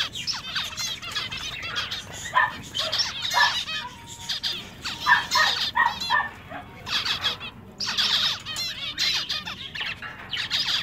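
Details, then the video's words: Zebra finches in a pet shop making their "meep" sounds, with males singing a little: loud nasal honking notes in quick runs, some laddered and buzzy, with brief pauses between bursts. "Male Zebra Finches Singing In A Pet Shop"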